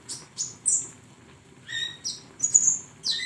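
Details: High, thin flowerpecker notes from a recording used to train songbirds: a few sharp ticks, then longer sizzling whistles and short downslurred squeaks.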